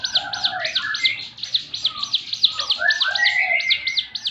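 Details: "Tembakan" song of a Javan fulvetta: quick repeated high chirps running throughout, mixed with lower sliding whistles and a bright rising note near the end, over a faint low background rumble.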